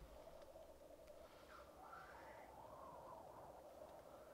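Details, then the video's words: Black grouse at a lek, recorded with a Rode Videomic Go. A rasping, hissed note sweeps upward at about one and a half seconds over a constant bubbling coo. A rising and falling warble follows. "Black Grouse lek"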